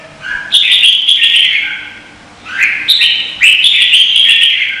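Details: Red-whiskered bulbul from Vietnam singing competitively, recorded as a lure sound: an opening bright whistled phrase, a brief lull, then a rising note leading into two more rich, rolling warbles.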